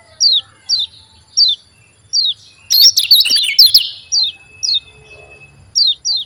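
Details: Javan white-eye used as a lure for other white-eyes: clean, high down-slurred chirps, singly or in pairs about every second, broken midway by a brief burst of rapid, excited twittering.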